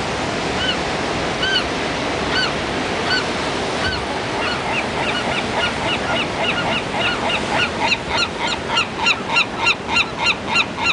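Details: Gulls calling at Pismo Beach over steady loud surf; harsh, slightly rising yelps at first sparse, then quickening into a fast run of repeated calls, several per second, near the end.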